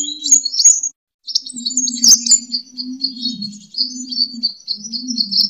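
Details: Sunbird fighting song, known locally as kolibri tarung and used as a lure and master song for training birds: rapid high, thin chirps and twittering phrases with a short pause near one second, plus a steady low hum beneath.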